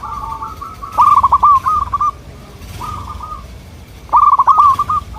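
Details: Local zebra dove song, used as a lure to get local doves to answer: soft, melodious trilled cooing phrases with a staccato rattle, two long bursts separated by a quieter short coo, low rumbling background.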